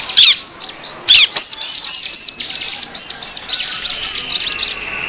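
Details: Noisy bar-winged prinia lure call: after two sharp chirps, a steady run of short high buzzy notes repeated about four times a second, very regular and bright.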